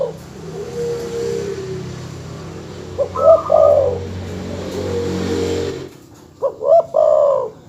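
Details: Master recording of a dove calling to provoke rival birds: after a stretch of low rumbling background hum, two short stuttering bursts of mellow coos ending in a warbling roll, separated by a pause.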